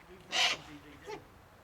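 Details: Owl at a screech owl sanctuary in Cornwall, UK, making a strange noise: one short, harsh, breathy hissing burst of about a quarter second, then a fainter echoing rasp, with quiet background and a person's soft exclamation afterwards.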